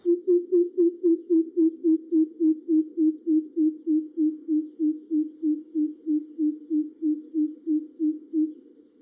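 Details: A Greater Coucal in a garden in western Thailand gives a long, steady series of deep, hollow hoop notes, about three or four a second, with nothing else heard.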